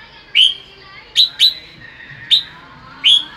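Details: A red-whiskered bulbul basking in afternoon sun sings in the bọng style: five sharp, downslurred whistled chirps spaced irregularly, two of them close together.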